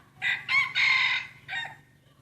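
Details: Rooster in a crowing contest between breeding cocks: one full crow with two short bursts, a sustained loud middle section and a separate brief closing syllable, a low murmur underneath.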